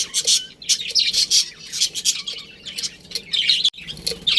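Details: Close, loud chatter from a budgerigar colony with a breeding pair: rapid scratchy chirps and sharp squawks packed tightly together, several per second.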